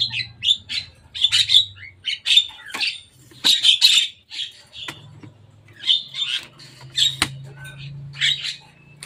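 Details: On top of a cage, a Javan myna gives a long run of scratchy, squawking chirps in uneven groups, with clicks and a low mechanical hum in the background.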